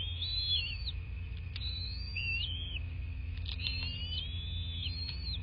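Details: Bald eagle calling at a southwest Florida nest, nest camera footage from 26 February 2024, 09:21: thin whistled notes rising and falling in short bursts, with faint clicks, an ongoing tonal hum and low-frequency rumble.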